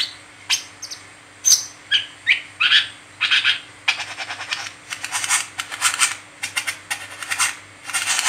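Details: Brown-throated sunbird giving its 'ngeriwik teler' twittering, used as a lure for training other sunbirds: thin whistled chirps early, then a long run of harsh rasping rattles pulsing several times a second.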